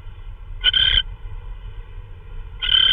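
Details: Owl delivering hard-to-identify prey, perhaps a vole, at 3:12 AM on March 16, 2013; two short, harsh, hiss-like rasps about two seconds apart, with steady low background rumble between them.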